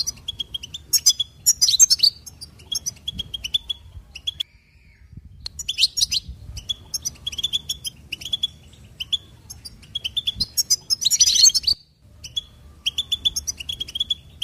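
A goldfinch sings rapid, twittering phrases of high tinkling notes and buzzy trills, in bursts every few seconds with brief pauses between.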